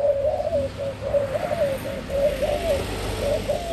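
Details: Spotted dove song: clear, mellow coos repeated roughly once a second, each note swelling and then dipping slightly, over a low constant hum.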